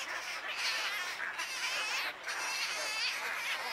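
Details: Wood stork chicks at Wakodahatchee Wetland, Florida, giving a continuous dense chorus of harsh, buzzy nasal begging calls, many overlapping voices with brief dips in loudness.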